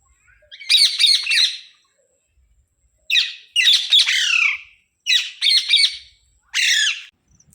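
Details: Pet rose-ringed parakeets (mitthu) awake early in the morning, one swinging on a swing, give five bursts of harsh, raspy, high-pitched squawks, each about half a second to a second, separated by short pauses.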